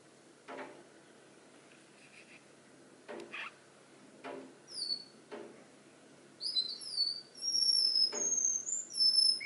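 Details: Canary imitating other birds: soft clicks and taps at first, then a burst of high, quick whistled slurs and short trills building louder toward the end.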